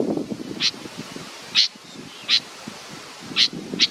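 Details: Chick waiting for its mother gives a few scattered, high, hoarse chirps about a second apart, partly mixed with low rustling and crackling nearby.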